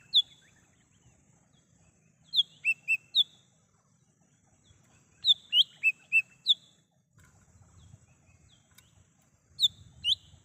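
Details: Lesser green leafbird singing in the wild for use as a lure: repeated phrases of three to five sharp high whistled notes every few seconds, with a steady low rumble of background noise throughout.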